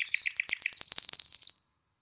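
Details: Canary song meant to excite females into mating and spur young birds to sing: a brief burst of high chirped notes in quick succession, then a faster, even trill of about fifteen crisp notes ending abruptly.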